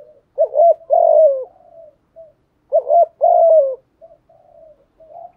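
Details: Spotted dove calling, used to prompt newly caught doves to coo soon. Two identical phrases about two and a half seconds apart, each a wavering double hoot plus a longer falling coo, trailed by soft low notes.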